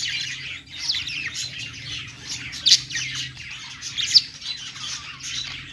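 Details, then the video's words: Budgerigars perched together warble in an unbroken scratchy chatter of chirps and squawks, with loud sharp notes sounding now and then, roughly every second or two. "budgies singing on perch"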